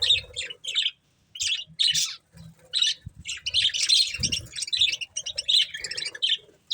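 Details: Budgerigars feeding on corn give short, sharp chirps in spaced bursts that build into busier chatter midway, with a few soft knocks and rustles beneath.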